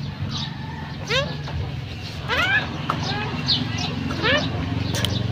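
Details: Common myna, a female, calling with a series of short, bright, upward-sweeping harmonic chirps in loose clusters every second or so, above a steady low rumble of background noise.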